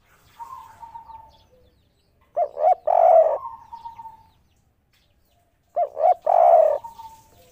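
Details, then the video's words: Spotted dove calling from atop a roof, giving two phrases of a few quick stuttering coos ending in a longer mellow coo, about three seconds apart, with a faint trailing tone. "derkuku tekukur kuk 3 ngamuk diatas genteng suara merdu dan langka"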